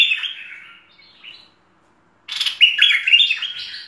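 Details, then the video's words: Merbah lekir, or Cream-vented Bulbul, tutor-style full song: a descending warbled phrase fades out, silence follows, then a louder run of quick, chattering, liquid notes stepping up and down. "Masteran Merbah Lekir Full Isian"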